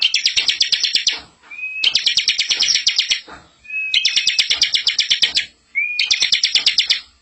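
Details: Bar-winged prinia master song for training young birds, very active and rolling: four long bursts of rapid, buzzy repeated notes, three preceded by a short rising whistle, with brief silences between.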